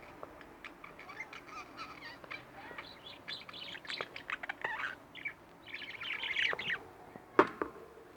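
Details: Two pet budgerigars kept at home, chattering and chirping in a soft run of short notes, warbles and brief squeaks, with a few sharp clicks and a louder burst near the end.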